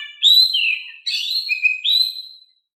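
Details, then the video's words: Oriental magpie-robin singing in a calm, soft voice, recorded to coax other magpie-robins into singing back: clear sustained whistles with gliding, slurred pitch changes in three phrases. The background is silent. "Kicau Kacer Gacor Suara Kalem cocok untuk bikin Nyaut Kacer Malas Bunyi"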